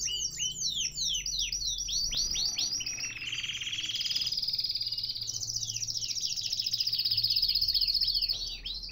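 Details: Caged canary in Baghdad, Iraq, singing a fast, varied song: rapid descending chirps give way to long buzzy rolling trills, then higher sweeping notes, with faint low background hum.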